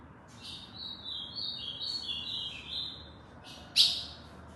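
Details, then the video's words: Tournament ultramarine grosbeak in Aracaju, Sergipe, Brazil delivers a long high warbled phrase of stepped, slightly descending notes over about two and a half seconds, ending with one sharp loud burst. "Azulão gladiador Aracaju Sergipe"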